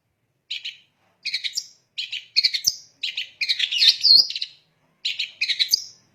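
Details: Long-tailed shrike (cendet) singing to provoke rival shrikes: rapid scratchy chattering phrases in bursts, some buzzy, with short silences between.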